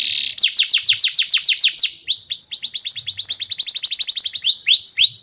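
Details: Canary lure song for training young birds to sing long: a fast series of steep falling whistles, then a quicker rising-note trill and slower upward-curving whistled notes.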